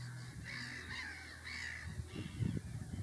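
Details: Adult northern lapwing, a parent with chicks, giving three harsh, wheezy notes in quick succession, each about half a second, over low wind rumble and some knocking.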